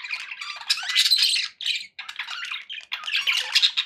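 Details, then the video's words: Pet budgerigars chirping happily: dense scratchy warbling chatter with squeaky and harsh notes, broken by brief pauses. "happy budgie sounds"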